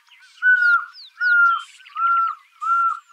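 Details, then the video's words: Pearl-spotted owlet song: a run of loud, level, slightly falling whistles, about four in three seconds, with fainter high chirps and short sweeping notes between them. "Pearl spotted Owlet Song"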